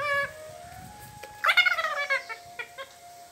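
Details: Talking parrot kept as a pet in Kerala, mimicking Malayalam words: a thin steady whistle runs under a loud burst of harsh, speech-like syllables, followed by a few softer clipped sounds.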